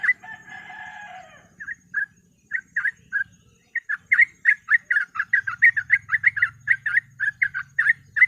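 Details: Sooty-headed bulbul in a training recording used to prompt other birds: after a harsh buzzy opening, a fast run of short bubbly mid-pitched notes, with a low hum underneath.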